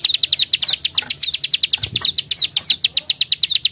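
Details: Plain prinia, known locally as prenjak sawah, delivering a lively klik-klik clicking call used to tutor other songbirds: a steady stream of crisp, high, rapid clicks, briefly overlaid by a soft broadband rustle near the one-second mark.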